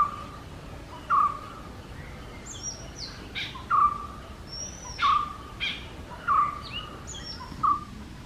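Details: Oriental magpie-robin singing in the morning: short, sharp mid-pitched notes repeated roughly every 1.3 seconds, mixed with varied high whistles, some rising and some falling, over a soft steady background hiss.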